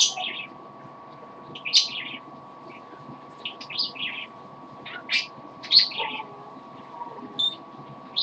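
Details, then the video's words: Indoor pet parrot, said to be tired, singing softly: scattered high chirps and short squeaky notes, irregular and spaced a second or so apart, with a constant low hum throughout. "Poppy the parrot sings a little."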